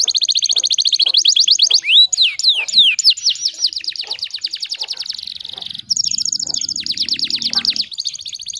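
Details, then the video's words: Nonstop canary song used to train other canaries: fast repeated trill notes, looping whistled swoops, a buzzy stretch, then a very rapid rattle, with a faint low rumble near the end. "MASTERAN KENARI GACORR PANJANG"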